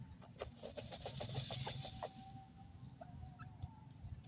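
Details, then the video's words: Dakhni teetar, a grey francolin, with a male calling and females responding: a quick run of short, sharp clicking notes over about two seconds, then a thin steady tone and a few faint notes over a low background rumble. "Dakhni Teetar Male Awaz of Female Responses,teetar boli"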